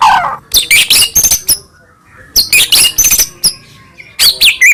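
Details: Morning white-rumped shama singing, meant to stir pet shamas into song: clusters of harsh buzzy rasps and scratchy notes in short bursts, separated by quiet gaps, ending with a few clearer sweeping whistles.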